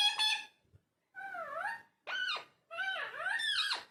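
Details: Parrot talking in a small room: a bright harmonic note, then smooth dipping and arching whistled syllables, ending in a sweeping speech-like phrase.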